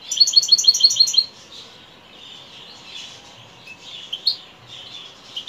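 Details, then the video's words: European goldfinch in the evening, opening with a quick series of evenly repeated high chirps, then softer, scratchy warbling notes with a few sharp accents. "Saka kuşu akşamüstü sefası"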